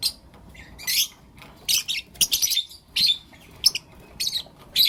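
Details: Morning chirping from blue opaline and lutino opaline lovebirds, heard as short bursts of shrill, scratchy chirps separated by brief pauses, roughly every half second to second.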